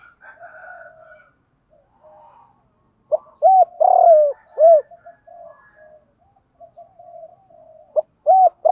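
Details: Spotted dove cooing from both male and female, used daily to train captive birds: soft low murmured notes, then a burst of deep rounded hooting coos with a drawn-out middle note, and a final pair of short coos.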